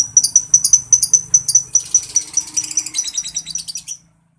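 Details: Caged lovebird calling others: sharp high whistled chirps repeated quickly, flowing into softer, denser twittering chatter that fades and stops before the end.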